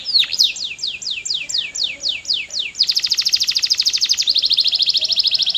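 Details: Canary in energetic song, giving a chain of about ten falling whistled notes, then shifting into a loud, fast trill and a smoother, higher rapid roll.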